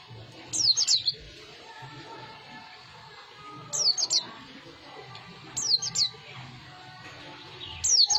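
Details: A newly caught white-eye gives four short bursts of thin, high, tumbling twitters, each about half a second long and spaced two to three seconds apart, over a faint low hum.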